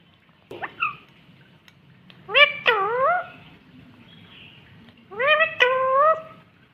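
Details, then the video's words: Pet talking parrot speaking words such as mummy and papa: a short nasal rising note, then two pairs of harmonic, speech-like syllables that bend down then level out, over a low background hum. "बोलने वाला तोता मिट्ठू talking Parrot mummy papa"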